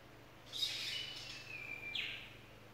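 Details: A tooth-billed bowerbird in North Queensland rainforest gives a harsh, scratchy burst, then a long thin whistle sliding slowly downward, ending in another rasping note, over a soft background hiss.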